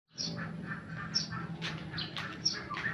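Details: Tame male sooty-headed bulbul singing in the rapid ropel style: a quick, continuous run of bubbly chirps and short sharp whistled notes with no real pauses, over a low background rumble.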